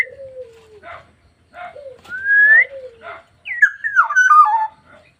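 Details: ['Black-naped oriole singing vigorously (gacor): a long, low, falling whistle, two nasal notes, then a clear whistle rising sharply. Another low falling whistle follows, then a rich, fluty phrase that steps down in slurred whistles.']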